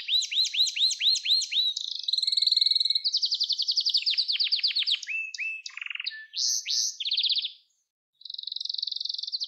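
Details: Domestic canary song recorded for training young canaries: a fast sequence of high, looping whistled notes repeated several times, then buzzy rolling trills and short rising phrases, a brief pause near the end before a steady trill resumes.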